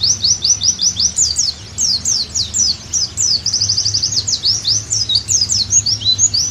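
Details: Oriental white-eye in lively, continuous song, meant to restore a pleci's full singing: high, thin, rapidly repeated up-and-down slurred chirps, a dense fast stretch in the middle, steady throughout.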